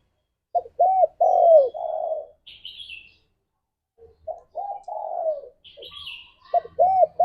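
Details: Spotted dove in active song, used to lure and stimulate other doves: arched coos rising into a long, dropping final note, repeated twice, with buzzy high chirps from another bird between the phrases.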